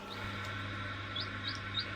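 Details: Two newly hatched chicks from an incubator give four thin, high peeps, each a quick up-and-down note, spaced irregularly over a steady mechanical hum.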